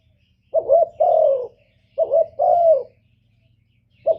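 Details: Decoy spotted dove giving a lure call meant to draw wild doves: low, hollow coos in pairs, a short wavering note then a longer falling one, two pairs about 1.5 seconds apart, with a faint low hum beneath.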